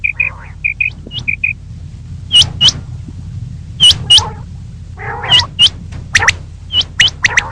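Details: Female common quail calling in the morning, opening with a string of short soft piping notes, then high upslurred whistled notes in pairs and a few nasal rasps, repeated about every second.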